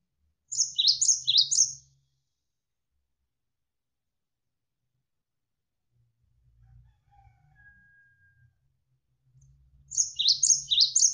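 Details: Javan sparrow on a bird-training tutor track: a burst of three high, clipped chirps, about eight seconds of near quiet with faint low water murmurs, then another burst of five rapid descending notes.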